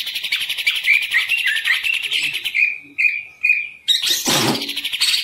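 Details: Captive green leafbird delivers a rapid, high chattering song, then several short whistled phrases, followed by a burst of harsh broadband noise near the end.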